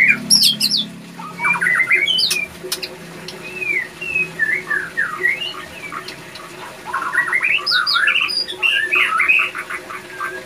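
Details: Male white-rumped shama in breeding condition, said to sing more, answer other shamas and often enter its nest box; varied whistled and trilled phrases, rapid slurred notes, with water-like background noise.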